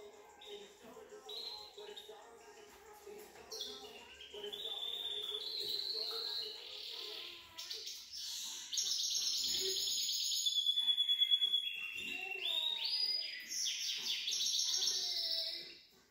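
A goldfinch mule sings a bright, twittering song of quick trills and high, sweet notes.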